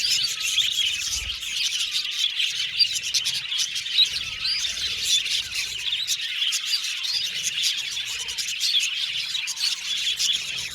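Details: Budgies chatter and squawk steadily, a crowded mix of high chirps, scratchy squeaks and quick warbling notes running the whole length, with a faint low thump near the start.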